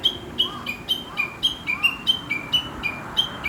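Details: Chinese hwamei, a wild rural bird whose morning song seems to chatter like speech, repeating bright high notes that slide downward, alternating between two pitches at a steady brisk pace, with faint lower notes behind.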